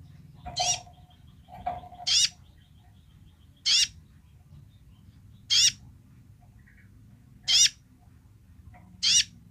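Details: Basic song of a vocal kolibri ninja sunbird: six sharp, rasping, high notes, each short and downward-wavering, repeated roughly every one and a half to two seconds over a low background hum, with softer mid-pitched chips early on.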